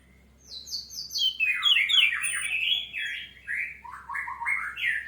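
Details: Orange-headed thrush in a full, nearly continuous song meant as a lure to set other birds singing: fast descending high notes, then a dense run of varied warbled and chattering phrases, with a steady low hum behind.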